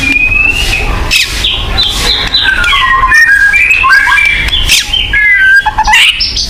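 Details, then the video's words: White-rumped shama song offered as a lure for caged birds: sliding whistles and downward slurs mixed with harsh buzzy bursts, with constant low noise beneath. "pancingan burung murai batu agar bunyi"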